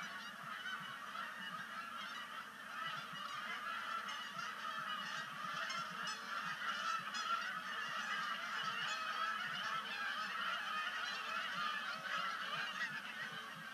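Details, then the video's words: Large flock of Canada geese landing at sunset on Sapsucker Woods Pond, 5 October 2019, at the start of migration: a dense, continuous chorus of overlapping nasal honks, roughly four a second, without pause. "Canada Goose Sunset Splashdown"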